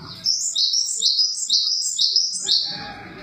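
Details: Java sparrow with a clear, high song of looping, slurred chirps repeated roughly every half second in an even run, with a little low background noise at the end.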